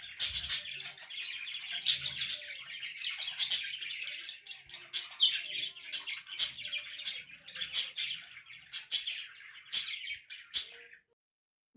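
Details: Pet budgerigars indoors warble continuously in a busy chatter of high chirps, squeaks and clicks, with sharper calls every second or so, ending abruptly; loud song, a morning greeting in summer, answering garden songbirds outside.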